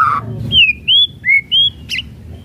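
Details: White-rumped shama singing a string of pure, high whistled notes, some slurred downward and one rising, followed by a brief harsh buzzy note.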